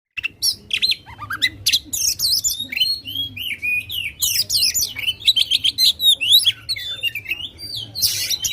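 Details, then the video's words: Oriental magpie-robin in loud, energetic song used to provoke contest birds: rapid varied whistles, slurred notes and harsh chattering bursts, about four notes a second, with a faint low hum behind. "kacer gacor ngobra suara lantang ampuh buat pancing emosi kacer kontes"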